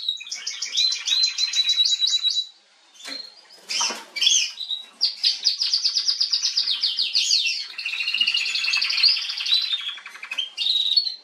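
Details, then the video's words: Female canary in song on 21 January 2022, opening with a fast even trill, pausing, giving a few scratchy notes, then launching into long warbling trilled phrases. "Kanarengirlitz Canary girl with a very beautiful voice"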